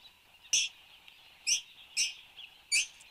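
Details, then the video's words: Australian satin bowerbird at 8:02 am on 10 January 2015: four loud, sharp, scratchy bursts, each very short, separated by irregular gaps, set against a continuous thin high hum. "Satin Bowerbird"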